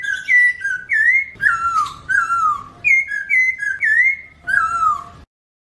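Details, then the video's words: Chinese hwamei singing sweetly, clean audio without effects: bright stepped whistles alternating high and low, with long descending slurs between, a continuous varied phrase stopping abruptly at the end. "kicau merdu poksay hongkong"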